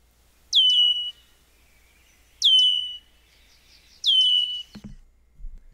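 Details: Red-winged Blackbird, North America, alarm call likened to a car alarm going off, not very fast: three high, piercing, down-slurred beeping notes, one roughly every two seconds, with a brief low thump near the end.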